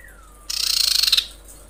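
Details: A female common iora in breeding mood calls the male with one fast, high, rattling trill of evenly pulsed notes lasting under a second. A faint thin descending whistle comes just before it.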